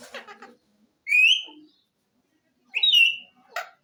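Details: Ring-necked parakeet kept as a pet, giving two loud rising whistled notes after brief mumbled chatter, with a short sharp note at the end.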